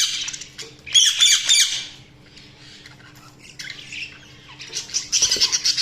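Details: Budgerigars chatter in bursts of high, scratchy chirps and squawks separated by short quiet gaps, over a steady low electrical hum.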